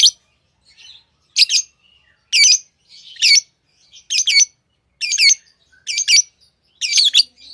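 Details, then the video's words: Lovebird repeating a harsh, squeaky double-noted squawk about once a second, fairly regular, with soft chatter between. "Love birds Sounds | lovebirds chirping sounds| parrot beautiful sounds"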